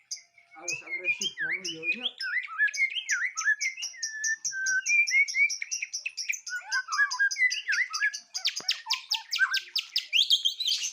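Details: White-rumped shama, a kept songbird having its composure tested for the first time, sings a rich, varied run of whistled and slurred notes, with fast chattering trills and sharp repeated chips building toward the end.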